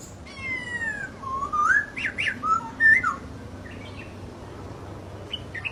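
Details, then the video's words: Masked laughingthrush in the wild, giving a long descending whistle, then several rising slurred whistles in quick succession, trailing off into softer high notes. "Burung poksay Hongkong di Alam"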